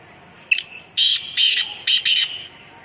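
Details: Black francolin calling: a short sharp note, then four loud, harsh, grating bursts in a quick, slightly uneven rhythm, over a steady background hiss.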